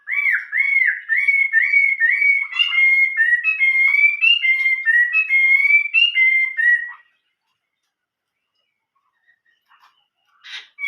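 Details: Chinese hwamei delivering a long 'old forest voice' style song of about seven seconds, made of rapid repeated looping whistles that rise and fall, then near silence with faint notes.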